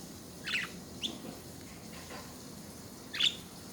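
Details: A budgerigar gives a few short, bright chirps with quiet pauses between them.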